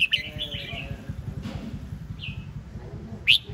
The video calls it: นกกรงหัวจุก (Red-whiskered bulbul)